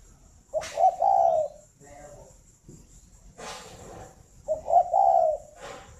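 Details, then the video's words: Morning song of a captive spotted dove near Hanoi, Vietnam: two soft, throaty coo phrases with a quick broken start and drawn-out end, separated by a sharp knock and rustling. "tiếng chim cu đẻ"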